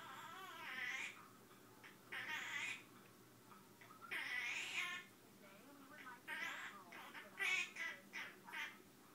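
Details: A male Quaker (monk) parrot makes up a song, chattering in bursts that mix speech-like babble with squeaky, warbling whistles.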